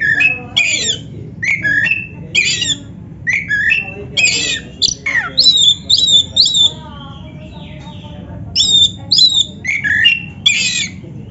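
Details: Oriental magpie-robin, black-breasted form, a caged 'masteran' bird used to prompt other birds to sing; loud varied phrases of harsh squawky notes and clear whistles around mid-high pitch, with short gaps between bursts.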